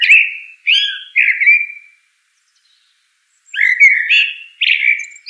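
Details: Mellow, flute-like warbling of a common blackbird in two bursts separated by a pause of over a second, the phrases sliding downward and tipped with faint high squeaks.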